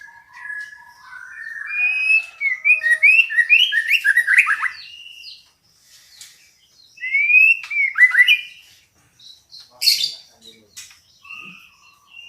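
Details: Female white-rumped shama calling to provoke a male into song: bursts of rapid, stepped whistled notes in rising runs, separated by pauses, with scattered sharp chips and one harsh noisy burst.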